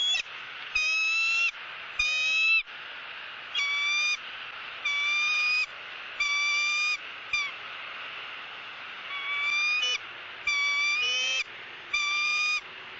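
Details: Wild female bald eagle at a southwest Florida nest, squawking and begging while her mate eats a fish and feeds her bites; loud harmonic squealing notes about half a second long, repeated in a steady series roughly every second.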